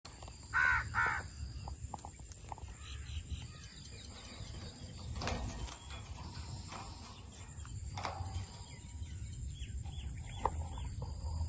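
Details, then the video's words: Green Indian ringneck parakeet giving two loud, harsh, rasping calls in quick succession near the start, then faint scattered clicks and chirps over steady low background noise. "Amazing Indian Ringneck Alexandrine l Parrot Chirping Sounds"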